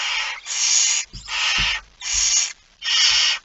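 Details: At 06:11 on 17 September 2019, a barn owl with a mouse gives four steady, rasping hiss-screeches, each about half a second long, with dull thuds in between.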